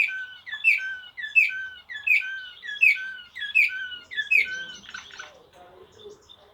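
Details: Serbian blue canary singing Slavujar song: a series of paired notes, a sweeping whistled note and a lower flat tone, repeated roughly every 0.7 seconds, ending in a softer rattling phrase.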